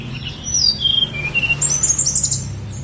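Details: High, thin song of a Snowy-browed flycatcher at Gunung Songgo Langit: a falling whistled phrase followed by a fast tinkling burst of very high notes, with a low rumbling background.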